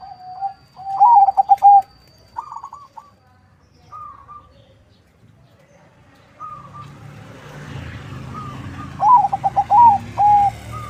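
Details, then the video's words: Captive-bred zebra dove, a cross of local and Bangkok lines from a bird farm in Bekasi, West Java, Indonesia, sung as a lure: a stuttering burst of quick coos ending in drawn notes, softer coos between, and broadband rumbling noise later. "Perkutut crossing lokal silangan bangkok suara merdu, untuk pancingan"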